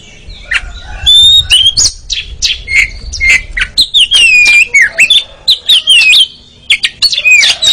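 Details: Oriental magpie-robin (kacer) ngeriwik song for training sluggish birds: continuous loud, varied phrases of slurred descending whistles, squeaks and harsh chatter, with hardly any pause.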